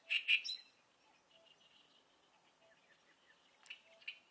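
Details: An oriental reed warbler, a summer visitor that breeds in reed beds and lotus wetlands, sings loud, harsh chattering notes at the start and a few more later.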